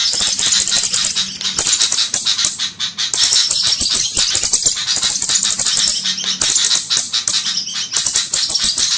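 Dense, very high, thin ticking and sharp chips from flowerpeckers, packed into a rattling chorus that repeats about every three seconds.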